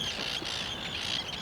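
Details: A dense colony chorus of millions of Arctic terns flying over Grimsey island on the Arctic Circle off Iceland's north coast in summer, harsh high-pitched screeching calls overlapping without pause.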